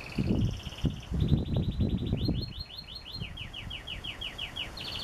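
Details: Canary in song: a high trill, then a long even roll of falling notes repeated about twice a second that slows into wider sweeps, finishing with a high buzzy trill, over low rumbling noise.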